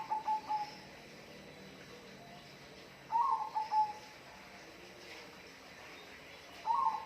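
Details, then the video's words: A bird whistles a short phrase of quick fluttering notes settling into a level tone, repeated three times about three seconds apart, with steady background hiss. "bunyi burung"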